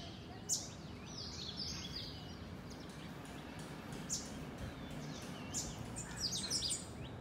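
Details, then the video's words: Garden flock of wild house sparrows. Scattered loud, sharp chirps stand out at irregular intervals, clustering near the end, amid softer chirping and low environmental noise. "Chirping Sparrows"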